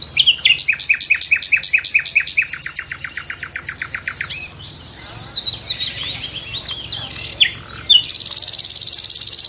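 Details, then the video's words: Nightingale song opening with a rapid series of about twenty loud repeated notes swooping downward, then varied warbled and scratchy phrases, ending in a high buzzy trill. "the sound of nightingales"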